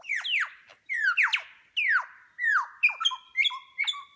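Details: Mimicry by a lyrebird displaying tail feathers, New England National Park, NSW, Australia: loud rich descending whistled slurs, followed by quick paired two-tone notes repeated about every half second.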